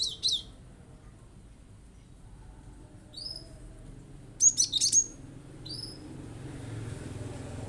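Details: Glatik batu, the cinereous tit, singing hard to goad other birds into calling: a short high squeak at the start, then a loud stuttering burst of sharp notes midway, with faint rising whistles from other birds around.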